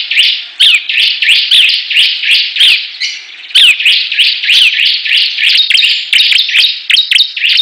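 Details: Bar-winged prinias in a song battle: a rapid, crowded stream of high chirps and rising sweeps, a short buzzy break midway, then an even denser run of quick clipped notes.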